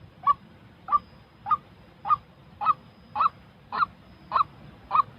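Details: Real white-breasted waterhen calling, used to train decoy birds for trapping: a steady run of short, harsh nasal notes, about nine in five seconds, evenly spaced, over a faint low rumble.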